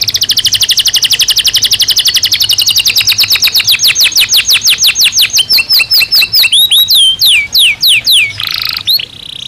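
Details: Caged canary singing in breeding season: long rapid trills of repeated high notes, a fast buzzy roll giving way to slower descending whistled sweeps, then a brief harsh burst near the end.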